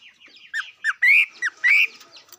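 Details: Singing bird gives a series of short slurred notes mixed with longer loud rising whistles, the phrases harsh-edged and varied, spaced under half a second apart.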